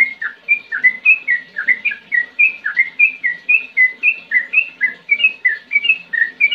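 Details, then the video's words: A lively sooty-headed bulbul sings ngetir ngerol style, a long, steady series of whistled, slurred chirps, roughly four a second. They alternate between rising and falling notes in a bouncing, regular rhythm. "Trucukan Gacor Ngetir NgeroL"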